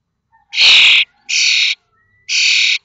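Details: Common starling chicks in a nest box at Théding, 19 May 2024, leaving the nest 21 days after hatching: three loud, flat, hissing rasps, each about half a second long.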